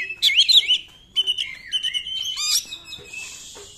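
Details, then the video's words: Oriental magpie-robin singing 'nembak', a lure to get quiet magpie-robins singing: a looping warbled phrase, then level whistled notes in short groups, rising to a rich twisting flourish before fading into a steady hiss. "KACER NEMBAK, UNTUK PANCINGAN KACER YANG TIDAK GACOR"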